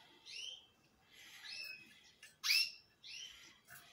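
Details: Male canary song of drawn-out warbled whistles, a sudden loud sharp chirp partway through, then a further warbled phrase with a quieter note at the close.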